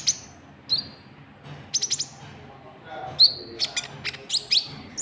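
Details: White-cheeked bulbul, locally konin trotol, calling to lure rival birds: short sharp high chirps and downward-slurred notes in scattered bursts, several quick clusters near the end, over a quiet low background hum.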